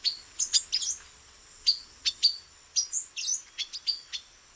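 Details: Among branches in Brazil, a male silver-beaked tanager gives rapid clusters of hard, metallic chips mixed with higher slurred notes, then separate single chinks, against a light high-pitched background hiss.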